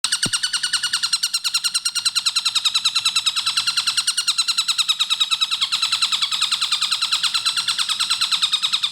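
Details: Javan kingfisher in a clear, fast-paced training recording for cage birds: a loud, rapid, even rattle of sharp repeated notes, about three per second, running unbroken throughout with a brief click near the start.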